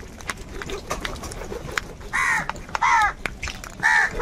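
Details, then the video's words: Crows fighting over food give three loud, harsh, nasal caws in the second half, each about a third of a second long and spaced roughly a second apart, after a quieter opening with faint clicks and background rustle. "Crow bird Fight for Food | কাকের ডাক Crow Sound Crow ki Awaz Loudly"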